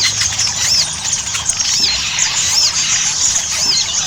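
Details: Ruby-cheeked sunbird, a chattering lure song to prompt sunbirds to sing: shrill high squeaks with a few clear arched notes spaced about a second apart over a steady thin twitter.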